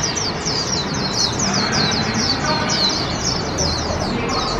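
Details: A 20-month-old hand-reared warbling white-eye sings during a 2021 park outing: an unbroken stream of thin, quick, falling chirps high in pitch, while a noisy open-air glove-puppet opera next to it fills the low and middle range.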